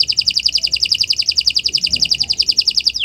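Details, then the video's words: Canary singing a long song for other birds to copy: an unbroken, very regular fast high trill of rhythmic pulsed notes throughout. "Kicau Burung Kenari 179 II LUAR BIASA GACOR PANJANG Cocok untuk Masteran"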